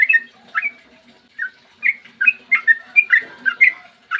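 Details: Morning singing of a sooty-headed bulbul meant to make other bulbuls respond; a few fluty whistled notes, a short gap, then a fast, rolling series of slurred whistles.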